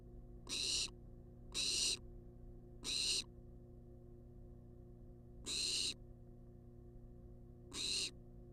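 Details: A wild barn owl begs for food on a live nest cam: a quick run of three rasping hisses about a second apart, a pause, then two more, all above a constant hum.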